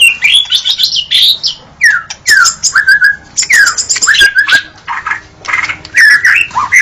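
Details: Murai batu (white-rumped shama) singing gacor style as a masteran recording: rapid run of ringing whistles, downslurred notes and harsh buzzy fragments, near-continuous phrases with short gaps, and faint steady low hum.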